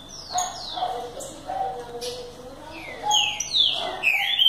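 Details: Green-winged saltator singing: loud, clear whistled notes sliding downward, with short phrases repeated amid softer lower warbling and faint chirps from other birds.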